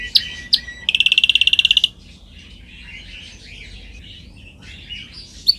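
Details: Canary singing on a training recording: two sharp high notes, a rapid ringing trill about one second long, then quieter soft twittering and a final bright note.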